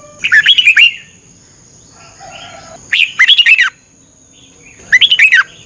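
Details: Red-whiskered bulbul kept as a cage bird in Thailand, heard in a morning training session: three chattering warbled phrases, each a quick run of bright up-and-down notes, separated by short pauses, faint steady whine underneath.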